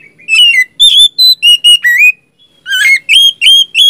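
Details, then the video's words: Lively gacor singing of a magpie-robin, used as a lure for a bird that will not sing: separate bright whistles, some steady and some rising, then after a short gap a rougher note and more ringing whistles. "pancingan dan terapi kacer macet,bahan langsung nyaut rajin bunyi dan gacor ngeplong"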